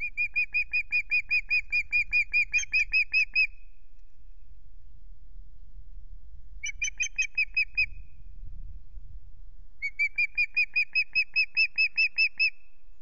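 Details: New male osprey at the Loch Garten nest on 17 April in evening sun, giving rapid series of sharp, whistled chirps, about fourteen, then five, then a dozen, in three bursts with pauses between; low background rumble.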